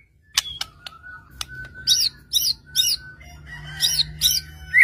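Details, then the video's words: White-rumped shama singing to prompt rival shamas to respond; spaced sharp chips followed by a run of bright, slurred high notes repeated about every half second, ending in a rising whistle over a steady low hum. "murai batu gacor AMPUH untuk PANCINGAN murai batu agar bunyi JADIKAN burung murai gacor EMOSI NYAUT"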